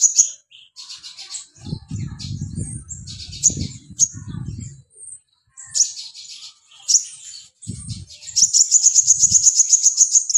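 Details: Mountain white-eye singing a string of high, scratchy twitters in bursts. It ends with a fast, even trill of sharp notes, with dull low thumps under the middle section.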